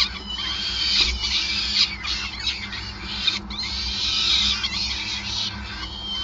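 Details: Peregrine falcon at a nest in Groningen during feeding on 5 May 2020: dense, harsh, wavering high calls pour out almost without pause, overlapping in ragged bursts above a steady low hum.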